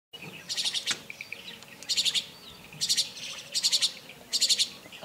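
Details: A juvenile jungle myna at Kodaikanal gives harsh, raspy chattering bursts, several scratchy notes at a time, repeated roughly every second with short pauses between.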